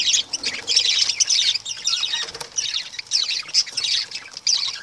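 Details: Lovebird chatter: a near-continuous stream of sharp, high squeaky chirps that rises and falls in loudness, with faint scratchy background noise.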